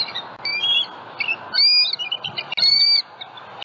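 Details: At a Southwest Florida bald eagle nest with eggs, a nest camera catches a morning visit by a flying juvenile on 27 February 2020; a few thin, slurred squeals and sharp chirps, some drawn out, separated by pauses.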